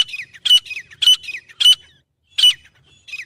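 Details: Grey francolin (teetar) giving a harsh, high-pitched call meant for hunting use: squawking notes, each with a short falling tail, repeated about twice a second, then a brief pause before more notes. Background quiet.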